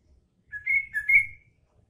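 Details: Green leafbird singing trucuk-style song material: two short clear whistled phrases, the second a slurred dip and rise, with a faint low rumble underneath.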